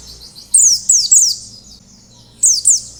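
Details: Oriental white-eye in wild-style song, a lure for other white-eyes: a trio of high, downward-swept whistled notes, a quiet gap, then a pair of similar bright notes.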